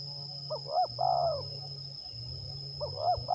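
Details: Spotted dove coos during decoy trapping in Liwa, West Lampung, Indonesia: brief upswept hoots then a prolonged quavering note, repeated after a short gap with the second phrase cut off, against continuous shrill insects and low-pitched drone.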